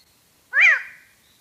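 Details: One arched, nasal 'O' note of the Hooded Tinamou song, with strong harmonics and a short fading tail. This very shy, solitary bird is heard far more often than seen. No other sounds are present.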